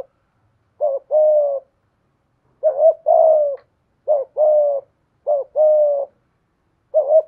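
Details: Spotted dove used as a decoy, voice of the 'giọng thổ' type: five repeated low phrases, a short wobbling note then a drawn-out even coo, with pauses of about a second between them.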